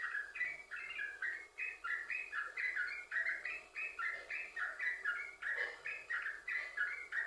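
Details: Yellow-vented bulbul delivering continuous 'sambung ropel' song to stimulate other bulbuls to sing; liquid, gurgling notes chained in a steady rapid stream of rising and falling phrases.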